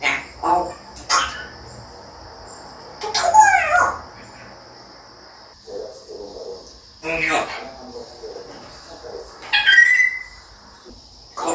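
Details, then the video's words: Talking African grey parrot producing scattered speech-like bursts and rough squawks, ending with a clear rising whistle. A constant high-pitched whine runs underneath, with faint music. "눈에 뵈는게 없는 앵무새 [연구대상똘이] African gray parrot"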